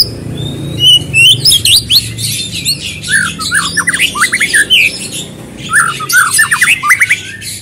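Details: White-rumped shama singing loudly as a lure to get another bird to sing. A rich, varied phrase of sharp whistles, rapid chattering notes and quick upward flicks, broken by short pauses, over a faint low hum.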